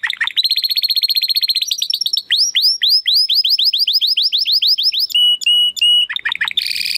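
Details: Training song of a male Timbrado Español canary bred in 2020 from rated parents: dense rapid trill, then repeated falling whistled sweeps, a few steady flat tones, and a closing buzzy rattle, all loud and clear.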